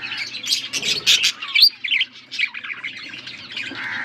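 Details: Blue budgerigars feeding each other on August 13, 2024, giving quick squawky chirps and twisting whistled notes, loud bursts early, then softer chatter trailing into a drawn-out warble.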